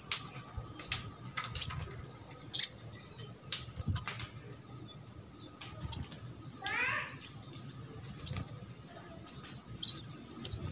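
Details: Crimson sunbird in trotol style, a lure for silent birds: sharp, high, clipped chirps repeated about once a second, with a short descending trill partway through.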